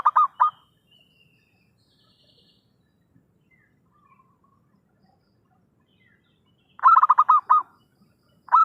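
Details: Zebra dove lure call used for trapping: short groups of rapid, clipped mid-pitched cooing notes, one at the start and a longer rhythmic burst near the end, with quiet pauses between.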